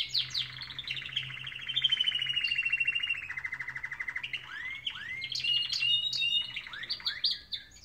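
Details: Canary song recorded in the morning: rattling trills shift into a fast pulsed sequence, followed by a run of rising upslurred whistles and sharp high chirps.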